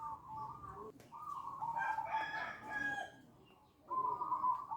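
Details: Zebra dove lure call used to draw other doves into answering; mellow warbling coo phrases in three bursts separated by short pauses, over a quiet, slightly hissy background.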